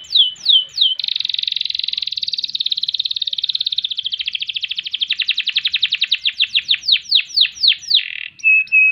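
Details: Singing kenari (canary) with long ngerol rolling and ngerek phrases: a few quick sweeps, then a sustained rattling roll that gradually slows into separate falling whistled notes, ending on a short flat whistle.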